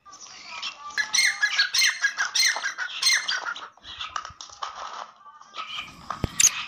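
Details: Black francolin, played to excite other francolins: a dense, busy stream of harsh, squawking chatter notes with rising and falling slurs, several overlapping, ending in a sharp click and a loud shriek.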